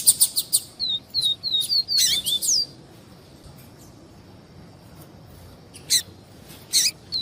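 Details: Double-collared seedeater, viviti song type, with female calls: a series of high descending whistled notes near the start, then broadband chips, a quiet gap, and a few more sharp chips.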